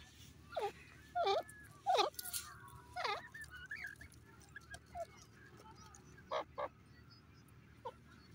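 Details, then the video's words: Grey francolin giving a series of loud, harsh, slurred notes with strong overtones, several uttered roughly every half second to second in the first half, then fainter, more scattered notes later, over a low steady background hum. "irani teeter ke awaz,grey partridge ki boli"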